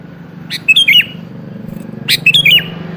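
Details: Lure recording of a sooty-headed bulbul singing to provoke an answer: two quick bubbly phrases of three to four liquid notes, about one and a half seconds apart, over a steady low hum.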